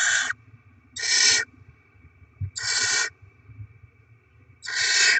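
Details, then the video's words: Barn owl pair bringing rodent deliveries to feed chicks: four loud, raspy hissing shrieks, each roughly half a second long, spaced unevenly, with soft low rustling between them. "Barn Owl Kangarobin - Płomykówki Syd & Mel - Dostawy gryzoni - Karmienie maluchów"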